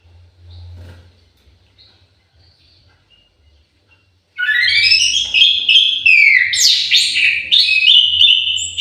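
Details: Orange-headed thrush kept in an aviary, singing a loud, varied phrase of rich whistles and quick slurred notes that begins after four seconds of near silence with faint low hum.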